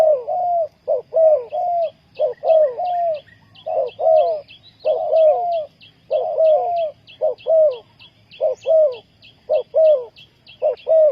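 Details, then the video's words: Decoy spotted dove calling to draw wild doves into a trap. Steady run of soft, hollow coos, each pair a clipped note then a drawn-out falling one, roughly once a second. Thin chirps above and a low hum underneath. "นกเขาใหญ่สายต่อดิน,Tekukur pikat,Cu gáy Ninh Thuận,Sound Of dove"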